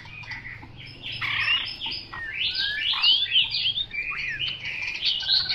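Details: Chinese hwamei singing: a busy run of varied whistled and slurred notes, some rising sharply, others falling, packed closely together over faint low background hum.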